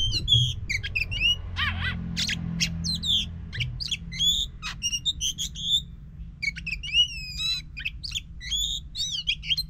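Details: Oriental magpie-robin song played as a lure to prompt a silent bird to sing: varied loud whistled notes, sharp chirps and trills in quick bursts, with a low hum underneath.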